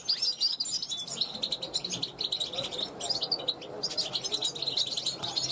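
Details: European goldfinch, a young bird from 2021, calling from a balcony to passing wild goldfinches; bursts of quick high twitters and liquid trills in short phrases separated by brief gaps.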